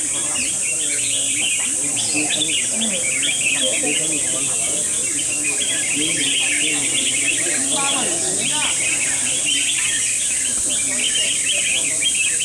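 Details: Several red-whiskered bulbuls sing together in a singing competition battle, a dense tangle of bubbly, whistled phrases, over murmuring voices and a steady high hiss.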